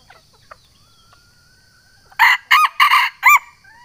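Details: Junglefowl of Sumatra calling out a rival, a lure call: after two quiet seconds of faint whistles from other birds, a loud crow of four harsh, clipped bursts in quick succession.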